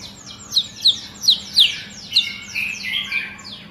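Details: Agitated long-tailed white-rumped shama singing high, sharp, downslurred notes, five loud ones spaced about every third of a second, then softer fading notes, with faint other calls overlapping.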